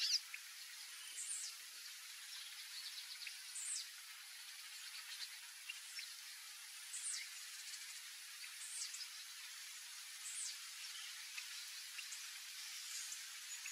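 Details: A Gray Monjita (Xolmis/Nengetus cinereus) gives thin, very high, downslurred whistles every two to three seconds, faint against a steady background hiss.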